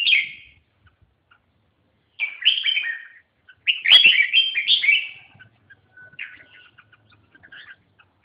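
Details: Red-whiskered bulbul calling in loud, liquid, warbled phrases of one to two seconds, twice in quick succession, followed by faint softer notes.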